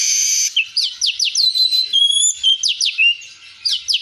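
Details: Streaked weaver's lively training song, rich in fill phrases: a harsh buzz opens, followed by fast sharp downward chirps, thin sustained high whistles and further rapid chirping runs.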